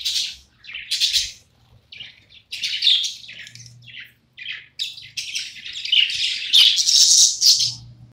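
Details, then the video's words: A happy pet budgerigar delivers a long, loud, excited warble of rapid chirps, squeaks and rising whistles in irregular bursts, growing denser and more continuous toward the end, with a faint low hum. "My super duper unique parakeet singing"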